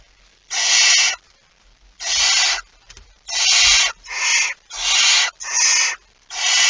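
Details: Barn owl at its nest with prey, September 2019: harsh, noisy screeching hisses of varying length, seven bursts in quick succession, some nearly running together, with brief low knocks in the gaps.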